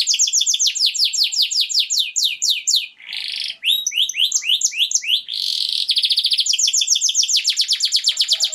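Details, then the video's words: Canary song in long rapid trills of down-slurred notes, broken by brief buzzy bursts and faster rattling rolls, bright and high, delivered without pause. "تغريد كناري رائع Tweet a wonderful canary"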